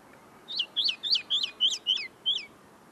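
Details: Tame linnet in song, notes not yet fully settled: seven evenly spaced sharp chirps, each flicking up and then falling, delivered in a steady bouncy series over quiet background.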